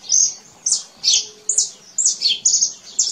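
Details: Canary song in nature: high, clear whistled chirps and buzzy slurs delivered in quick separate bursts about every half second.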